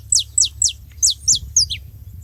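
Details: Saffron finch calling at a feeding spot: a quick run of six bright, high notes, each sweeping steeply downward, spaced about a quarter second apart, above a low background hum.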